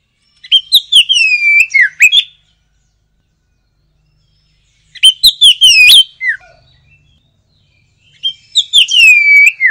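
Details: Oriental magpie-robin (kacer) singing ngoceh gacor: three separate bursts of rich whistled phrases with sharp clicks, notes sweeping down and up, each phrase about two seconds with pauses between, clean and quiet background.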